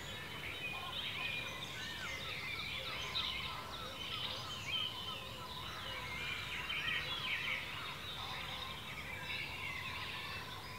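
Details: Dense, steady chorus of many birds in ancient woodland in Cornwall, UK, with overlapping high trills, chirps and warbled phrases throughout.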